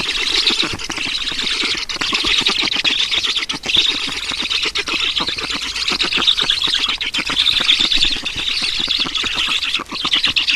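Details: Black storks at a nest in Estonia during feeding, 11 June 2019: a continuous raspy, hissing chorus of fast pulsed wheezes runs for the whole stretch, with a few brief dips in loudness.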